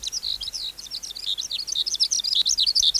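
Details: Wild-caught adult skylark singing, its song played as a training tape for young caged skylarks: a rapid, unbroken run of high, thin twittering notes and quick chirps, many short slurred phrases pouring out with no pauses.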